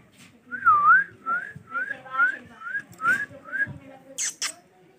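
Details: Ringneck male parrot talking: a run of seven short dipping whistled phrases, evenly spaced, followed by two sharp high clicks.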